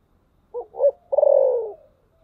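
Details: A single clear phrase of a spotted dove with the thổ sấm voice: two brief low notes, then a sustained, buzzy, gently descending coo.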